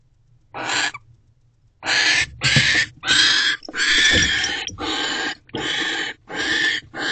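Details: Barn owl in a nest box at night, 9:11 pm on 18 December 2023, after returning and mating; harsh, broadband hissing shrieks in bursts about half a second long, after a brief first burst and a pause.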